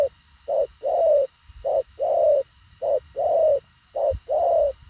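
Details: Fast, concise cooing from a spotted dove: soft low notes in short-long pairs, a brief clipped coo followed by a longer, slightly rising hoot, the pairs repeating about once a second over a quiet background.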